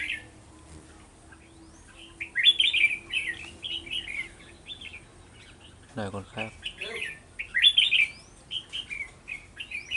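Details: Red-whiskered bulbul kept as a trapping decoy, 11 November 2018, giving short warbled phrases with pauses between them. A brief human voice breaks in midway.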